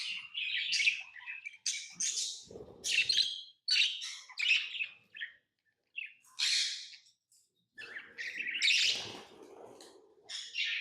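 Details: Pet lovebirds give shrill, scratchy chirps in quick bursts separated by short pauses, some notes squeaky and rising; a faint low thump or rustle now and then beneath the chatter.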